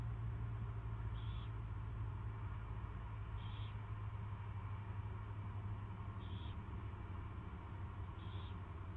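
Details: Owl being fed for the first time, 24 February 2016 at 2:15 PM, utters four short raspy hisses at irregular intervals of two to three seconds beneath a persistent rumbling drone.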